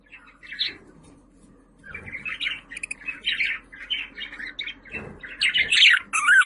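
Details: Budgerigar warbling in a long stream of scratchy, chattering notes, growing louder and more shrill towards the end, over a low steady hum.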